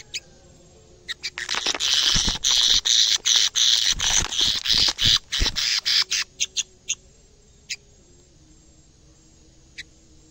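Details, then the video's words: Canary in a cage reacting to a camera for the first time and singing actively. After scattered chirps it breaks into a long, fast, buzzy, high-pitched warble of rapid pulses, then tapers back to isolated chirps. "kenari gacor bikin geleng geleng kepala reaksi kenari saat pertama kali lihat camera dalam sangkar"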